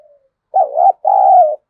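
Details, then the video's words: Spotted dove cooing as a lure for wild doves, one loud phrase of a wobbling short coo followed by a sustained, slightly falling coo, with a faint coo trailing at the start. "Tiếng cu gáy kích bổi hiệu quả, cu gáy Gọi. cu gáy thúc gù kích bổi"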